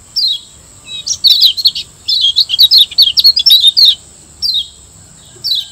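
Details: Kecial kuning, a Lombok white-eye, in a master song for training caged birds: a bright high chirp, then long bursts of rapid, tumbling twittered notes, and a few single chirps at the end, over a constant thin high whine.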